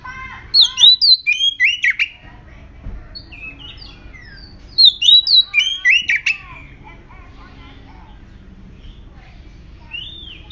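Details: Oriental magpie-robin lure song, meant to provoke birds into singing: two bursts of rich, slurred whistles and rapid upward sweeps, then quieter scattered notes, with steady low rumbling noise throughout.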